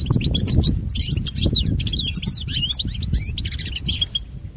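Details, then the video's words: European goldfinch, song for pet goldfinch training: loud, rapid, liquid twittering with buzzy slurred notes and quick trills in an unbroken flow, ending in a short drawn note, over a low background hum. "Listen to Goldfinch's most famous motivations for training and education"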